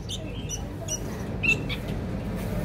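A Sooty-headed Bulbul chick gives short, high, squeaky chirps in quick bursts, several over a few seconds, against a steady low rumble.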